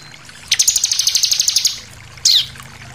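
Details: Bar-winged prinia in forceful 'nembak' (shooting) song: a fast, even, high trill of about a dozen pulsed notes lasting over a second, followed by a single sharp downslurred chirp.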